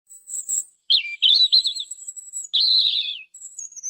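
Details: European robin song, real recording: short warbled phrases around a high pitch, a thin very high whistled note at the start and end, and rapid twittering trills between brief pauses; clean background.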